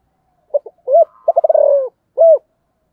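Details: Spotted dove, sấm thổ type, with a single compact coo phrase: two short clipped notes, a rounded hoot, a fast rattling roll that slurs downward, then a final resonant arched hoot.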